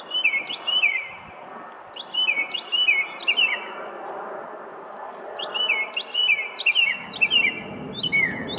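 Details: Northern mockingbird singing in the middle of a parking lot on a weekday evening in early June, 3 June 2019, Colonial Place, Arlington, Virginia: loud bursts of sharp, whistled, downslurred notes, each phrase repeated several times in quick clusters, separated by short pauses.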